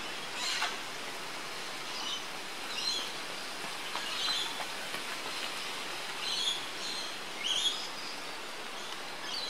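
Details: At Port Douglas, Queensland, Australia, on 20 October 2013, a yellow honeyeater gives brief high chirps and clipped notes at irregular intervals. A constant hiss of ambient noise runs underneath. Filmed with a Panasonic Lumix GH3.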